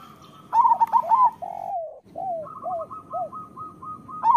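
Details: Local zebra doves (perkutut) in full song: one loud rapid burst of bouncing coos, then several soft, low, separate coos and a quick purring trill, with a fresh ringing burst starting at the end.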